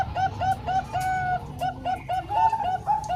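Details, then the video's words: Zebra doves, Bangkok-type and local birds, singing as a training recording for young birds: rapid runs of short cooing notes with bright upper tones, repeated several times a second, several birds overlapping over steady low background noise. "Kombinasi 3 Suara Perkutut Bangkok Dan 1 Lokal|Untuk Melatih Perkutut Bahan"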